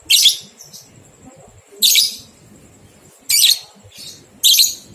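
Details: Lovebird ngekek singing from a training recording meant to get two-month-old young lovebirds singing: four loud, shrill, rasping bursts, each about half a second, spaced one to one and a half seconds apart, with faint background hiss.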